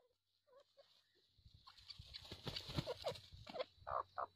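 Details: Grey francolin in breeding season giving its mating call: faint short notes at first, then a run of louder, sharp, rising calls repeated quickly over a noisy, rustling background with a low steady hum.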